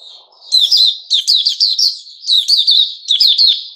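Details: Caged sooty-headed bulbul giving loud, rapid bursts of slurred, jerky chirps in three or four quick-fire groups, ending just before a man says thank you.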